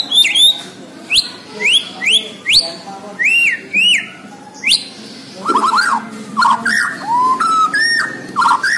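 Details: Borneo white-rumped shama in full, vigorous song. It gives loud, clear whistled phrases, each a rapid upslurred note sliding down into a level whistle, repeated about twice a second. A varied run of lower, warbled, fluting notes follows.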